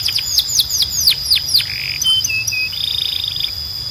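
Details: Belgian canary song made of several sharp, falling whistled notes, followed by flat, steady tones and a short wavering buzz.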